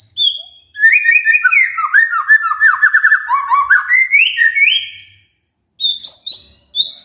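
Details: Magpie-robin song used as a lure to stimulate a quiet bird into singing: a long, varied run of clear whistled phrases, some sliding and rising, others quick trills, then a short pause and more high whistled notes.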